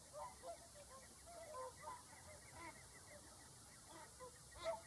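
A flock of whooper swans gives a steady chorus of short, overlapping bugling honks in the mid range, with one louder trumpet near the end.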